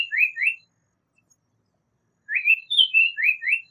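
Japanese paradise flycatcher giving two quick slurred whistles, a short pause, then a run of about five bright, swooping whistled notes, clear and high against silence.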